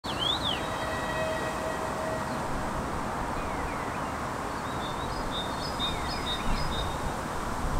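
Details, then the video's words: Common starlings, three birds, singing over steady low background noise: a wheezy zigzag whistle at the start, then faint slurred whistles and a run of clicking, rattling notes later. "Скворцы музыкальное трио"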